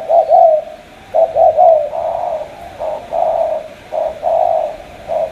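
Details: Spotted dove from Cà Mau in Vietnam gives warbling low coos, some notes stretched and drawn out, others clipped short, in an uneven run.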